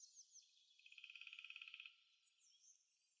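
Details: A songbird in a forest in spring gives a quick, even trill of about fifteen high notes in roughly a second, with faint thin whistles from other birds before and after.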